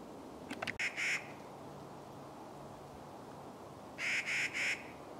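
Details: Clark's nutcracker giving grating, nasal, rasping calls in two quick runs of three, one early and one near the end, separated by steady background hiss.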